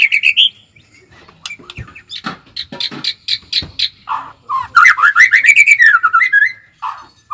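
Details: White-rumped shama (murai batu) song mixing sharp clicks and chips with loud, rapid whistled trills and sweeping notes, in short bursts separated by brief pauses.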